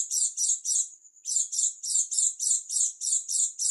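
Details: East Javan dakun-type Oriental white-eye giving a strange song: rough, high buzzing notes repeated briskly, a short gap bridged by a faint level whistle, then the fast series resumes.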